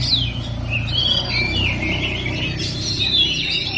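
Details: Oriental magpie-robin, a 'perjaka' (bachelor) bird, singing clear whistled notes and slurred rising and falling phrases mixed with scratchy chatter, over a low steady background hum.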